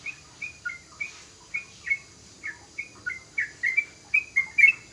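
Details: Young sooty-headed bulbul giving short clear whistled notes, at first spaced about half a second apart, then crowding into a quicker, louder flurry of slurred chirps toward the end.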